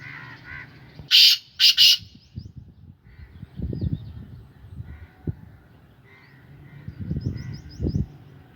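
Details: A pet black francolin cock of Sindhi lineage gives two loud, harsh, grating notes in quick succession, followed by low rumbling background noise and faint chirps from other birds.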